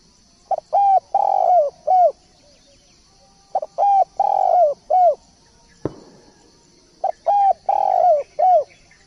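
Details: Spotted dove singing three regular phrases of low coos, each with a long descending burred note and a rounded final coo; a sharp knock sounds between the second and third phrases.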